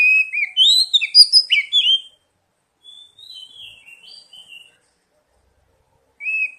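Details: Oriental magpie-robin song as a lure to prompt young birds to respond: a two-second burst of varied, sharp whistled notes, followed by a faint, soft warble and one more brief whistle.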